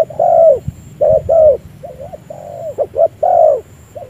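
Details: Decoy spotted dove used for trapping, cooing: a series of low, rounded hooting coos of varying length, some short paired notes and longer drawn-out ones, clear and close with little background noise.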